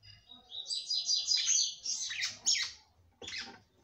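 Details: Female red-cowled cardinal singing to arouse her male: a sustained, high, warbled phrase lasting about two seconds, then a pause and one short closing burst.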